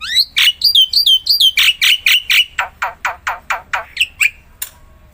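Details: Black-winged myna (Javan white starling) singing to provoke silent mynas into song: bright looping whistled notes repeated quickly, shifting into a steady run of loud harsh descending squawks about four per second, then a few final chirps.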